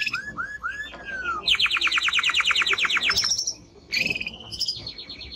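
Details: Male Timbrado canary in song, opening with slow slurred whistles that dip then rise, followed by a loud, rapid metallic tour of steady repeated notes. A short pause leads to a higher rippling phrase.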